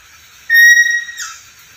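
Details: Black-capped lory, a talkative and very vocal bird, giving one steady, clear, high whistle lasting nearly a second. A shorter, rougher, buzzier note follows. The background is quiet.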